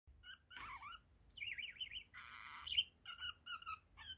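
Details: Pet budgerigar, a one-year-old male kept indoors, chattering: short bright chirps, a wavering warbled phrase, a buzzy grating note, then quick repeated high chirps in a small quiet room.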